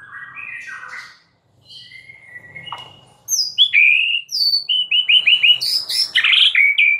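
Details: White-rumped shama song meant to make a non-singing bird respond. Softer varied phrases and a low hum open it, then loud, high, rapid whistled and buzzy notes pour out in a dense, lively stream.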